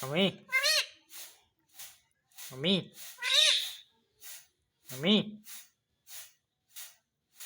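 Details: Pet parrot that says "papa" trading words with a person: deep human syllables alternate with shrill, squeaky copies of speech, among faint clicks and short noisy bursts.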